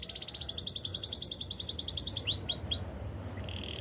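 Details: Canary singing in the wild, a long even pulsed trill followed by a few loud upslurred whistles and a brief low buzz, over a faint low rumble.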